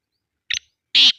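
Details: Black francolin in Sindh, Pakistan: one short, sharp note followed by a longer, harsh, grating note, both high-pitched, against a quiet background.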